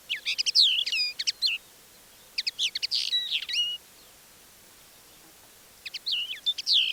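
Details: Crested lark in the Manych steppe near Divnoye, Stavropol–Kalmykia border, early morning of 21 April 2024, softly sings an extended mimicking repertoire in three quick bursts of high, twittering, swooping notes, copying a Common Linnet's song; faint hum behind.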